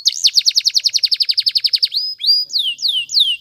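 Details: Training song from a canary: nearly two seconds of evenly spaced rapid chirps, then a rising whistle and three loud sweeping down-slurred notes.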